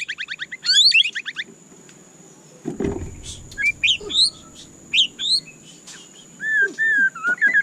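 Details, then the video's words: White-rumped shama singing a rapid stuttering series of high notes, then spaced, rising whistled phrases and ending in smooth, wavering whistles; a short low thump midway. "Dengarkan suara candu Murai Batu ini"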